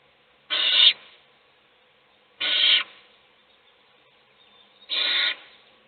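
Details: Feeding time in an owl nest box, other chicks sleeping; three strong, raspy hisses about two seconds apart against near silence.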